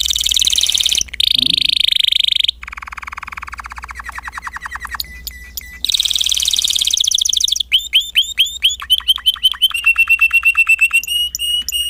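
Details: Spanish timbrado canary performing a long varied song: a bright steady roll, then rapid pulsed trills at several pitches, ending in a series of clear, evenly repeated whistled notes, with a low steady hum behind.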